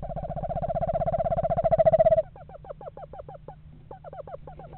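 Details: Pair of Eastern screech owls house shopping in a yard in November: a loud, steady monotone trill runs for about two seconds, then gives way to quick bursts of short, falling hooted notes over a faint low hum.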